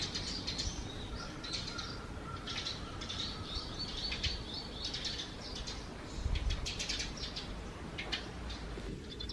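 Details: Eurasian tree sparrows emerging from a nest under the eaves on a cloudy morning, 4 June 2020: a busy stream of short, high chirps and twitters overlapping one another, over a steady low background rumble.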